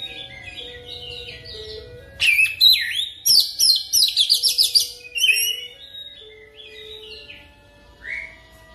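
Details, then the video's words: Oriental magpie-robin singing a lure song for training, meant to set off quick rolling song. Soft warbling opens, then loud bursts of rapid chattering, rattling notes and swooping whistles, fading to scattered short whistles. A low tonal hum sits beneath. "PANCINGAN KICAUAN KACER CEPAT NGEROL"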